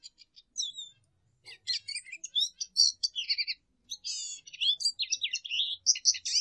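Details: Lesser goldfinch singing a varied medley of sharp chirps, quick slurred whistles and scratchy twitters, delivered in quick phrases with brief gaps, growing denser toward the end.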